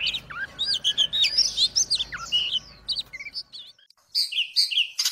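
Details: Oriental magpie-robin singing vigorously while fanning its tail and swaying: a rapid, varied stream of bright whistled notes, slurred upward and downward. A brief pause near three and a half seconds is followed by sharper high chirped phrases.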